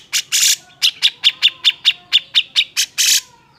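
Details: Cucak jenggot in agitated song used to goad reluctant birds into singing: a steady run of about a dozen short, evenly spaced sharp chirps, opened and closed by harsher broadband notes.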